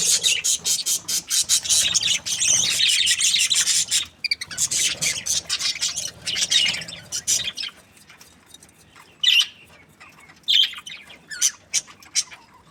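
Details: Budgerigar breeding pairs chirping happily: about seven seconds of continuous rapid, scratchy high chatter from several birds, then a quieter spell broken by short separate squeaky chirps.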